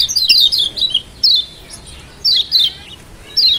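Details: Lombok yellow white-eye song meant to prompt a lazy bird to sing: short bursts of high, sharp twittering chirps come in separate phrases, with quiet pauses of nearly a second between them.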